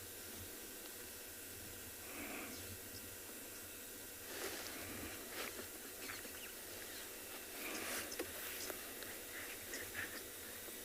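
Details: Oxpeckers landed on a safari vehicle at sunrise, 4 November, Tswalu Kalahari Reserve, South Africa, give a few harsh, hissing rasps at irregular intervals, each under a second; light breeze and soft open-country hiss.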